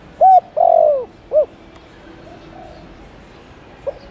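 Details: Single phrase from a spotted dove calling to lure wild doves: a short coo, a long quavering falling croo and a closing hoot, followed by quiet with a faint distant coo.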